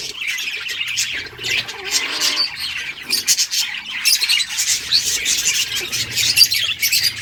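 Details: Budgie colony chirping while playing: constant high-pitched chatter and scratchy warbles from many birds, growing denser in the second half with a few clear peeping notes.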